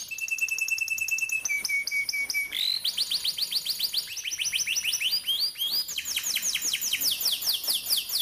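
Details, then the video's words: Canary training song for juveniles: thin high whistled tones with clipped chips, then a cascade of repeated swooping whistled slurs, each curving up and dropping, delivered in quick succession. "Burung KENARI GACOR NGEROLL||PANCINGAN KENARI PAUD MUDA HUTAN CEPAT BUNYI NEMBAK"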